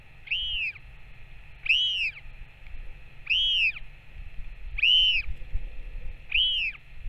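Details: Northern royal albatross, parent back and feeding chick, 21 May 2024: five strong, arching whistled calls about one and a half seconds apart, rising then sliding down, over soft low wind noise.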